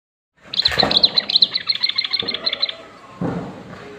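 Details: Common bulbul song played to stimulate other bulbuls to sing: a fast run of bright, high chirping notes for about two seconds, over a rustling, noisy background.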